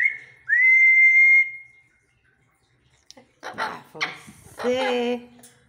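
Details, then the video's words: Parrot giving a laugh: a long, steady, clear whistle is followed by a pause. Then come harsh, throaty bursts with rich overtones, like laughter, ending in a drawn-out chuckling sound. "papagaio inteligente dano risada"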